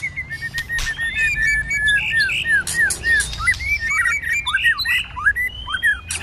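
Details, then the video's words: Cold-season fighting song of a White-rumped shama, sung in many voices with tail-flicking: steady strings of short whistled notes that turn into varied looping, downslurred phrases, with faint high calls behind them. "Kích Chòe Lửa hót căng tạch đập đuôi sổ nhiều giọng. kích chòe Lửa hót đấu."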